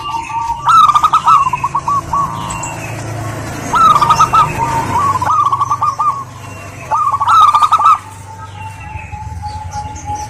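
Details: Local zebra dove, female, calling a male: several separate bursts of fast, clipped cooing, each about a second long, separated by pauses with a faint even tone and low background hum.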